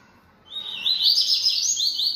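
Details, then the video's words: High, continuous warbling from a bold caged coleiro-baiano singing a lot: a thin whistle leads straight into dense, rapid, slightly buzzy notes that carry on to the end. "Coleiro Baiano Atrevido Cantando Muito"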